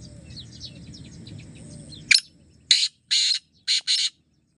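A black francolin gives a loud, harsh series of grating notes, five rasping bursts in quick succession, after a soft twittering of small birds.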